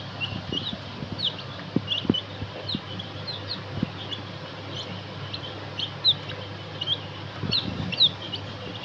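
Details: Rainbow chicks, baby chickens, cheeping in a group: high, thin rising peeps come every half second or so, overlapping, with low thumps and handling noise beneath and a constant low hum.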